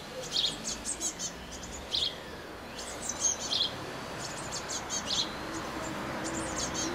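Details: Blue tits around a nest box, 8–9 May 2020: scattered thin, high chips and short twittering notes at irregular intervals over soft background noise.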